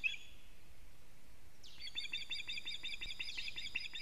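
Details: Alarm calling by an osprey at a Latvian nest while the male delivers a living fish, evening of 19 July 2017; after a short whistled note, a fast series of sharp, high repeated chips begins and continues to the end.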